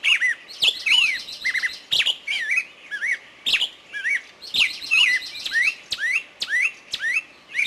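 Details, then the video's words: Forest birdsong with sharp clicking notes about once a second, mixed with slurred whistles and buzzy trills from more than one bird. "Пение птиц в лесу"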